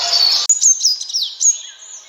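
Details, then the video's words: Sunbird calls used as a hunting lure: after a brief burst of hiss, thin high chirps and quick downward-sliding whistled notes follow at uneven intervals, fading toward the end. "Sun Bird Sounds ✔️Sun Bird Calling Sound Effect Mp3"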